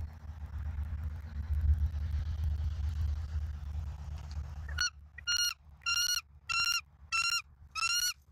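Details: Bald eagle on a Southwest Florida live nest camera, evening of 17 November 2024. After five seconds of wind rumble, a loud series of high, piping harmonic notes repeats roughly every half second, six notes in a row.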